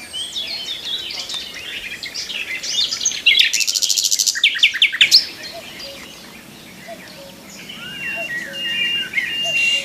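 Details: In the morning a nightingale sings from a tree, a harsh buzzing trill and a quick burst of sharp notes amid quieter chirping and faint background birdsong.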